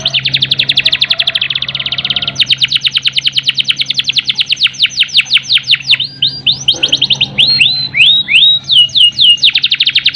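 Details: Canary, kept as a cage bird, singing a long rolling song meant to stimulate other canaries lacking breeding urge: rapid repeated high trills that shift between fast buzzy rolls and slower downward-swept whistled notes, with a steady low hum behind.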